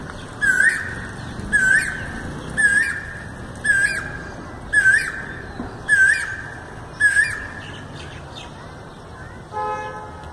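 An Asian koel gives seven short, loud, rising 'ku-oo' notes, about one per second, before falling silent. A brief nasal note from something else closes it.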